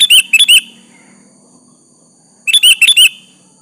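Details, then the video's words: Two quick phrases from a sooty-headed bulbul calling out a rival, each a rapid run of three liquid, bouncing whistles, separated by a second or two of near silence. "Suara Burung kutilang Gacor memanggil lawan Pancingan kutilang agar bunyi nyaut"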